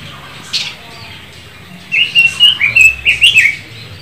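A Red-billed leiothrix sings a quick, fluty warbled phrase of about eight bright, slurred notes, after a single soft tick.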